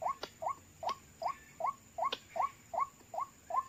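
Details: Repeated calls of White-breasted waterhen (ruak-ruak) during a trapping session using call playback, two birds arriving in seconds; short rising nasal notes spaced evenly about every 0.4 seconds, with occasional sharp clicks.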